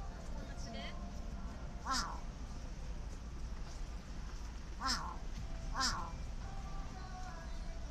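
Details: Large-billed crow calling in front of a favourite convenience store: three harsh, hoarse caws at about two, five and six seconds, each a short rasping burst, over a steady low hum and faint voices.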